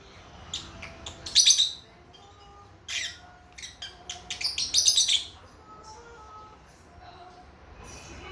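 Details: Several months old, baby lovebirds trade bursts of shrill, high chirps, two main clusters with softer single calls between, in an indoor room.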